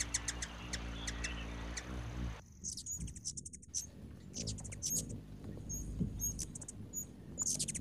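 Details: Ruby-throated Hummingbird gives rapid, very high, squeaky mouse-like twittering chirps in quick bursts, a call used in territorial chases, after a few seconds of music.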